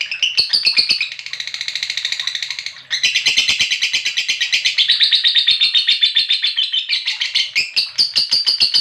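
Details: A lovebird's extended ngekek lure trill. A rapid, shrill chatter falters briefly near the third second, then resumes louder and denser, sustaining its high rattling pulse for several more seconds before ending in clipped chirps.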